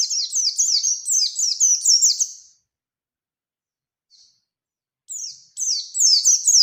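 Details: Oriental white-eye (pleci Bustomi) in ngerol nembak song used to draw a rival: a rapid rolling burst of steeply falling high chirps, then silence with one faint note, then the rolling phrase resumes.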